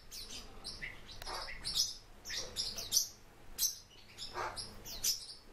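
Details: Kept Japanese white-eye calling clearly: loud, very high, thin chirps and downslurred notes in clusters about once a second, crisp and piercing, with a faint low background hum.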